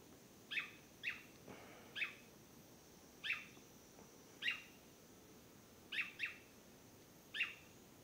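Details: Swallow-tailed manakin in Acaraí State Park, São Francisco do Sul, Santa Catarina, Brazil, gives about eight short, sharp, slurred notes at uneven intervals, one or two seconds apart, a few in quick pairs, over a quiet background hiss.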